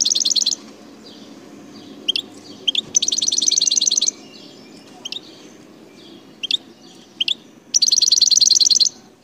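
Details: Wild Algerian goldfinch singing in the El Tarf sector, Bouteldja, Algeria: bursts of rapid, buzzy, high trills lasting about a second, separated by scattered sharp chirps, over a steady low background hum.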